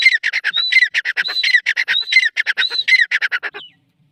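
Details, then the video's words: Grey francolin (teetar) calling: a fast run of harsh, rasping notes, with a clearer whistled upslurred note about every 0.7 seconds. The series stops abruptly at about 3.7 seconds, then silence. "Teetar Awaz | Teetar Voice | Gray Francoline Teetar Sound | Beautiful Teetar Voice"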